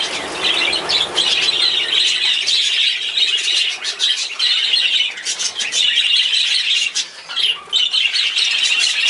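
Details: Budgerigars in a breeding cage, many birds chirping and chattering at once in a dense, continuous stream of bright, squeaky notes that never pauses, with brief louder squawks poking out of the flock noise.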